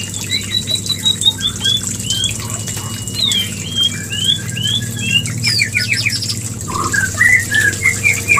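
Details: White-rumped shama calling to trigger mating, played as a breeding lure; a long run of short, clear whistled notes that rise and fall, then a quicker burst of upslurred notes, with constant background hiss and hum.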